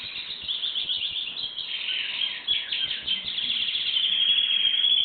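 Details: Canary singing: a continuous run of rapid high chirps and trills, ending in a sustained high whistled note, with no other clear sounds.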